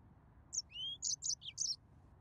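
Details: Short phrase from a yellow-fronted canary: a thin rising whistle followed by a handful of buzzy, high chirps.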